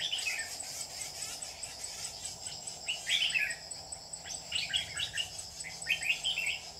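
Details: Red-whiskered bulbul serving as a trapping lure on 27 July 2019, delivering repeated bright, chattering warbled phrases through the clip, with a constant high insect buzz behind.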